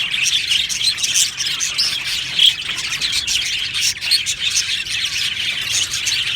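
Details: Budgerigar flock in an aviary keeps up a dense chorus of high twittering chirps, with short louder bursts and a few clear whistled notes rising out of the steady chatter.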